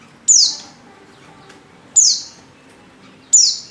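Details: Female white-eye in heat calling a male: three loud, clean, high chirps, each falling sharply in pitch and trailing off, spaced about one and a half seconds apart in near silence.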